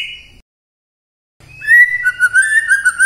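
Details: White-rumped shama lure song for the morning to make silent shamas sing: a brief note, a pause, then a clear rising whistle into level, slightly wavering fluted tones over a faint low hum.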